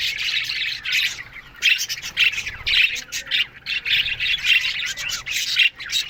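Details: Morning chirping from many budgerigars in an aviary: bursts of high, raspy chatter and short squawks come in quick irregular pulses, with brief dips between them.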